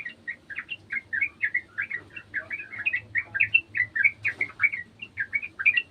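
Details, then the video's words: Sooty-headed bulbul singing along with another bulbul: a lively, rhythmic string of short, bubbly chirps, about four notes per second, repeated steadily on a clean background. "TRUCUKAN KEBON ikutan bunyi burung trucukan bahan"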